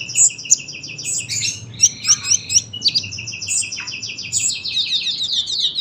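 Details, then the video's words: Sunbird in steady long song: strings of evenly repeated high thin notes at a fast clip, interrupted by a few louder sharp accents, then smoothly rising into quicker twittering. "KOLIBRI GACOR PANJANG SUARA RAPET"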